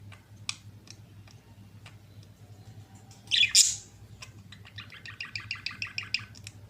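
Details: Pair of budgerigars kissing: scattered short high chirps, a loud harsh squawk near the middle, then a rapid run of repeated clicky chirps; steady low hum underneath.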